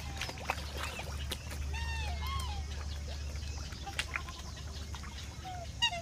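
Black swan giving a few soft, musical bugling notes that rise and fall, with more calls near the end over a low, steady rumble.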